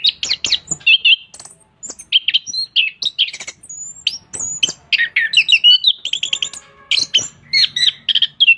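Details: Orange-headed thrush singing vigorously with its tail fanned: a dense, rapid run of varied whistles, trills and sharp chirps, high-pitched and bright, delivered in quick bursts with brief pauses throughout.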